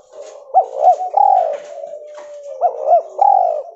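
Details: Spotted dove of a pure white albino mutation coos twice in a row. Each phrase has two quick low coos and a longer sliding coo, with a short pause between phrases. Faint high chirps sound in the background.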